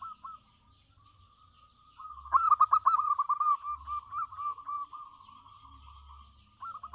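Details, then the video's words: Local zebra dove singing vigorously: a soft opening note, then a sustained run of rapid bubbling trilled coos lasting several seconds that gradually fades, with low background hum. "suara perkutut lokal gacor"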